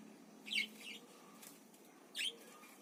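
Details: A pair of parakeets kept in Indonesia. Two short, bright, scratchy chirps about one and a half seconds apart stand out over a quiet, hissy background.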